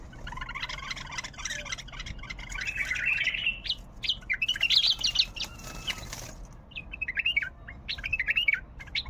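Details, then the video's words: Bulbul singing, praised for its developed throat and varied phrases. A long run of warbled, wavering notes rises and falls through bright chattering passages, with short pauses and a brief flutter near the middle. "تغريد بلبل طور حنجره ولغات روعه"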